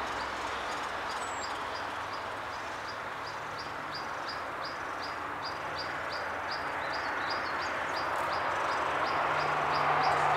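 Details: At a great spotted woodpecker nest: short, sharp high notes repeated about four times a second, steady throughout, over a constant broad rushing background noise.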